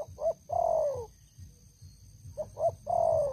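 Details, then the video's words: Spotted dove, a longtime decoy bird, giving two brief cooing phrases: a couple of short notes then a long coo gliding downward, with a quiet gap and low rumble between. "Terkukur Pikat Lama, Selalu ok Suara besar"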